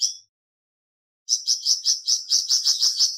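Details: Flamboyan bird singing after a brief pause: a quick run of sharp, high-pitched chirps, evenly spaced and bright, repeated about three times per second.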